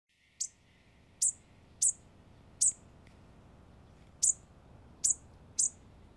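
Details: Bushtit giving sharp, very high, thin chips, eight brief notes spaced irregularly about half a second to a second and a half apart, over a quiet, faintly hissing background.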